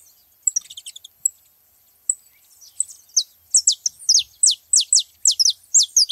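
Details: Saffron finches at a feeding spot; scattered high chirps build into a loud, regular series of falling whistled notes, roughly two each second, in the final three seconds.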